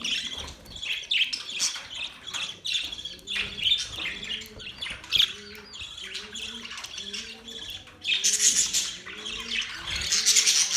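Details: Several budgies chirping and singing with mating sounds: continuous high, rapid chattering and squawks, swelling into a louder, buzzier burst near the end, over a soft, repeated low tonal pattern.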